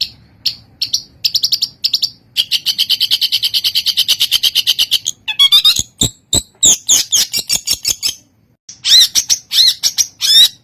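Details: Long-tailed shrike, used as training song for captive birds, giving a loud, lively rolling song: rapid harsh chattering trills around high pitch, then sharp clicking notes and whistled slurred phrases, ending in fast buzzy repeated bursts.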